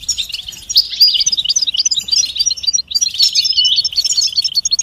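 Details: Goldfinch mating and readiness song, betbeta and setseta styles meant to stimulate silent males: dense, rapid liquid twittering with sharp chips and short trills, nearly continuous, briefly dropping out near the end.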